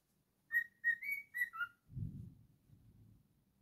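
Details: Cockatiel singing a short run of five whistled notes, the middle ones sliding upward and the last dropping lower, followed by low muffled rumbling and handling noise.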